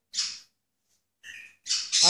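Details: Pet blue-and-yellow macaw, trained to mimic words, saying 'high five' and lifting its foot for a high five: three short, harsh, breathy bursts, with a brief pause after the first.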